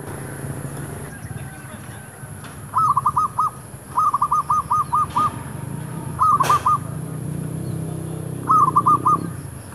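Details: Zebra dove calls recorded near shops while luring wild doves with a decoy bird: bursts of rapid cooing notes, one longer run of about seven, with traffic rumble, a brief clatter and faint other chirps.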